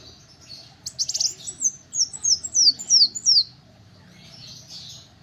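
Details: Little spiderhunter singing a single fast run of high, thin notes that slide steeply downward, about eight notes in under three seconds after a brief buzzy opening, then fading to a soft background hum.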